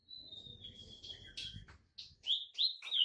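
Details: White-rumped shama training song for caged birds, fainter: a long thin high whistle, then sharp clipped notes and bright whistled slurs, with low background rumble.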